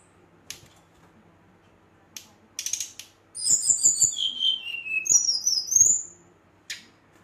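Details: Scattered clicks give way to a brown-chested jungle flycatcher's night song, sung to provoke rivals: a run of high whistles falling in steps, then a bright wavering whistled phrase, then quiet.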